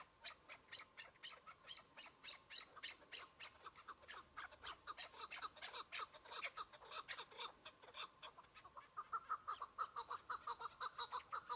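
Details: Chukar partridge in early spring snow patches, one bird: a long string of sharp, bright chirping notes about twice per second gives way to lower, throaty chuk-chuk clucks at the end.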